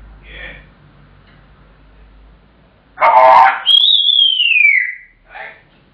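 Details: Pet African grey parrot calling for attention until it gets its tea. A harsh, noisy squawk is followed by a long, clear whistle that starts high and glides steadily downward, then a short rough note.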